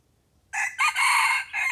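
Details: Red junglefowl crow, captured during decoy luring: a sudden harsh opening, a sharp second note, a long sustained rasping middle, then a short final burst, very near and loud.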